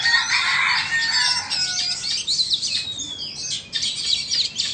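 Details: Two Oriental magpie-robins, one Vietnamese and one Indonesian, face off in song: loud, busy high warbling at first, then scattered whistles and a descending slur, sung over rough, scratchy bursts.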